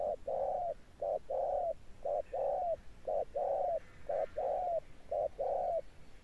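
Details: A thunder-tone coo from a tame spotted dove, persistent to the end. Clean short-long coo pairs repeat regularly, about one each second, over a faint steady hiss.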